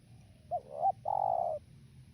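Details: Spotted dove cooing: two short, low hooted notes followed by a longer, steady drawn-out coo, the phrase lasting about a second against a quiet background.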